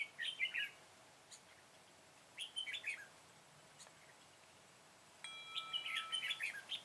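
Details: Red-whiskered bulbul recorded on 21 September 2017 while a flock leader was being trapped with a decoy bird. Three short bursts of bright, warbled chirps, with a tonal note at the end, separated by quiet pauses.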